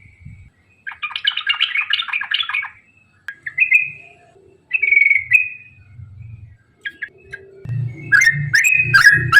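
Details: Yellow-vented bulbul song played to prompt other bulbuls to sing: bubbly chattering phrases around the first three seconds, then short whistled notes, and a burst of loud mixed chirps at the end over low background rumble.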